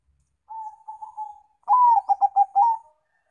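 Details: Lure song of a zebra dove, Bangkok and local strains: a soft, level, purring coo leads into a louder rising coo and a rapid series of short clipped coos.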